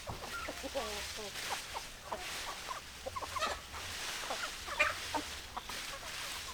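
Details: Chickens clucking: a scattered string of short, soft clucks and brief warbling notes from several birds, over a low background hum.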